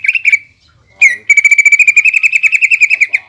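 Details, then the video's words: Greater green leafbird singing a provoking lure song full of borrowed phrases to stir a rival leafbird to fight. A short warbled phrase and a brief pause lead into a long, very rapid series of about twenty clear repeated notes. "PANCINGAN CUCAK IJO GACOR FULL BONGKAR ISIAN BIKIN EMOSI CUCAK IJO LAWAN"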